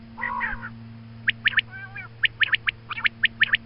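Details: Female quail calling in the morning, used as a hunting call: a short burst of nasal, harmonic notes, then a sharp series of clipped, ticking notes in irregular clusters over a steady low electrical hum.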